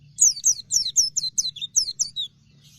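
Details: Dakun-type Oriental white-eye singing actively, giving a quick string of roughly nine sharp, high, downslurred notes before falling silent.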